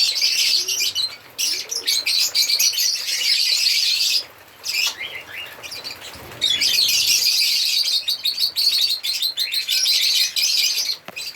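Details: Chorus of African lovebirds singing and chirping: continuous shrill, scratchy chattering from multiple birds, dropping away briefly twice before resuming at full intensity.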